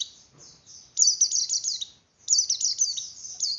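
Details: Javan grey-throated white-eye song used to stimulate breeding condition in other white-eyes: two bursts of rapid, high, thin twittering with quick downslurred notes, separated by a brief pause.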